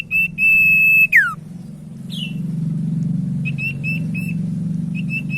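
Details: Common iora song used as a lure to get silent ioras singing: a long, steady, high whistle ending in a quick downward slur, then a few short repeated whistled notes over a low background hum.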